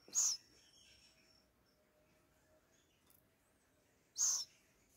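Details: Hand-reared owl chicks, two in care, on the ninth day of hand-feeding with crickets, 21 August 2020: two short, harsh, hissing screech bursts about four seconds apart over a quiet background with a steady thin high whine.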